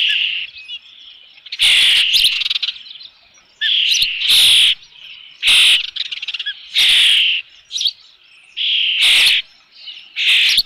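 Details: Osprey at its nest with a fish, recorded on 3 June 2018 around 5 PM at Dunrovin Ranch: loud, piercing whistled calls in bursts of about one second, repeated through the clip, with softer chirps between them.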